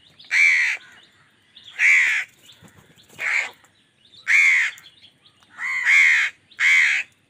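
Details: Angry crow fighting wild birds for food, giving six harsh, rasping caws spaced roughly a second apart, each short and loud with a slightly falling tone; quiet background between calls.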